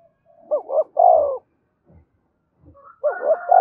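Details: Spotted dove calling to stir wild doves to fight: two short rising notes and a long falling coo, then a second phrase overlapped by a long, drawn-out, higher crowing-like sound.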